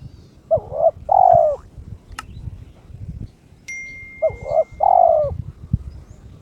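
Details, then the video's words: Kept spotted dove in breeding condition calling to challenge a rival: two low, mellow cooing phrases, each of quick short notes and a longer falling coo, with a sharp metallic ding and clink between them. "TERKUKUR TOKCER SUARA KRISTAL MENGUNDANG LAWAN/My turtle dove chirps challenging its opponent"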